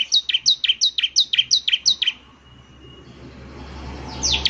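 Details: Bar-winged prinia singing a neat series of ten evenly spaced, high, two-part chirps, each sliding downward. Low rumbling background noise follows, then one more chirp at the end.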